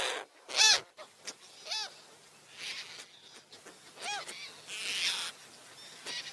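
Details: Gulls giving scattered, drawn-out mewing calls that rise and fall, with bursts of rushing noise between them.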